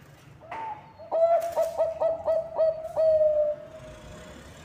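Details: Keen-singing zebra dove of Bangkok stock, used to prompt other birds to sing: a soft lead-in note, then seven rhythmic ringing coos about a quarter second apart, closing with a lengthened fading tone over faint background hiss.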